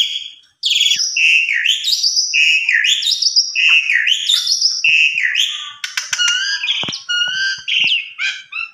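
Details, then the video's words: Lure song from a Javan pied starling, sung to trigger a full response: looping whistled phrases that rise and fall, repeated swoops, then a burst of clicks and mixed chatter. "Pancingan Jalak Suren Paling Ampuh !! Hitungan Detik Langsung Respon Gacor Full Isian"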